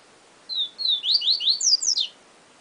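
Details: Yellow-bellied seedeater singing a Siu Siu Professor style phrase: two sliding whistles lead into a brisk sequence of sharp descending notes, finishing with two higher, steep, buzzy sweeps; background quiet.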